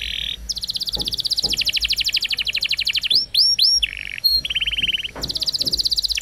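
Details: Canary singing from a training recording for young canaries. Long fast trilled rolls come first, then a few loud upward-curving chirps and a short buzzy trill. Another rapid rolling tour ends the clip.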